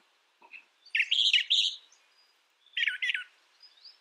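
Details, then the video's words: Brown thrasher song with two dense, harsh, chattering phrases about a second and a half apart, each made of rapid scratchy notes, with near silence between them. "Brown Thrasher Bird Sound, Bird Song, Bird Call"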